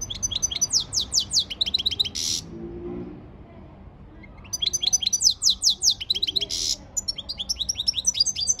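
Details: European goldfinch singing a training song: brisk series of sharp descending high notes, each run ending in a harsh buzzy burst, with a silent pause of roughly two seconds between the two phrases.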